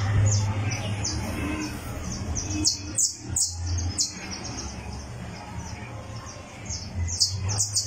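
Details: Criollo canary singing or tuning its song on a tournament perch: bursts of high, sharp chirped notes scattered through the clip, some quick repeated runs, over a steady low hum.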